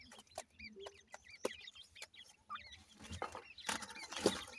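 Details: Grey francolin chicks at feeding time give a run of thin curved chirps, later swamped by rustling and handling noise.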